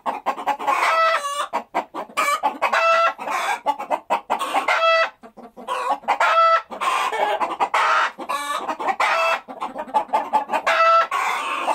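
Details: Domestic chickens clucking and cackling in a dense chorus, several hens calling over one another with short repeated clucks and harsh, drawn-out squawks, steady throughout.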